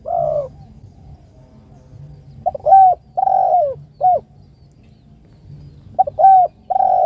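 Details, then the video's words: Spotted dove calling for its companion: an opening coo, then after a pause two three-part phrases of short, long and short mellow coos, over a soft low hum. "PANGGILAN SUARA BURUNG || TEKUKUR ||DERKUKU MEMANGGIL TEMAN ||LAWAN"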